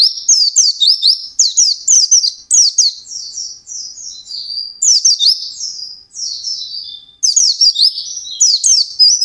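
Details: White-eye delivering a long gacor ngalas song. Continuous high-pitched rapid warbling made of sweeping slurred whistles, with sharp accents and brief dips between phrases.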